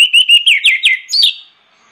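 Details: Orange-headed thrush in persistent lure song: about seven quick whistled notes rolling downward in pitch, then a higher trilled flourish that fades out, clean and loud over silence.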